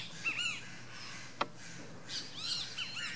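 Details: At the nest, a least grebe gives a few arched down-slurred notes, then after a sharp click a cluster of higher chirps toward the end, over low steady background noise.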